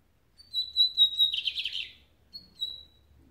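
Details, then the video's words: A lined seedeater gives a long high whistle that runs into a rapid buzzy trill, then starts a short new whistled note. "O Bigodinho mais rápido que você verá hoje!"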